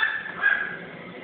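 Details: Pet crow imitating a dog's bark, learned from a chihuahua: one drawn-out hoarse, nasal bark-like call lasting over a second, loud and close.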